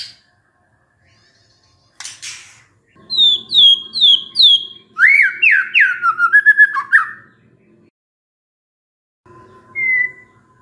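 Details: White-rumped shama song as a pancingan lure for a stressed shama: a series of high downslurred whistles, then faster swooping lower notes over a faint low hum, one last short whistle.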